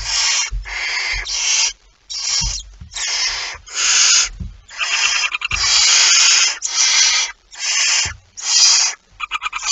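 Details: Barn owl at the nest with prey, 23 September 2019, producing a dense, nearly continuous stream of harsh hissing snores, some bursts merging, others clipped short, accompanied by low knocks and rustling.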